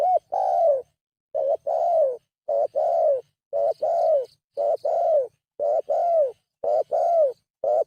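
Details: Spotted dove lure call in rapid succession: about eight short two-part coos, roughly one per second. Each pairs a clipped lead note with a longer, arched, falling coo. Faint high chirping sounds in the background.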